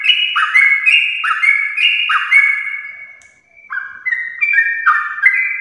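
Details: Yellow-vented bulbul singing a long 'ropel' in the morning to rouse other birds: bubbly whistled phrases with drawn-out sliding notes, dipping briefly in loudness midway before resuming.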